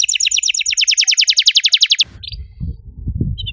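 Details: Canary singing actively, a fast trill of repeated high chirps, about twenty notes in two seconds, followed by low thumping handling noise and a few brief high chirps.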